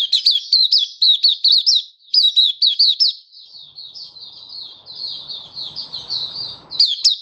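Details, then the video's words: Hobby white-eye of Malaysian origin singing in warm, sunny Singapore on 20 March 2023; brisk run of about twelve sharp high chirps, then a quieter thin warble over soft noise, a final chirp burst. "Malaysian Mata Puteh Happy Buka Sing"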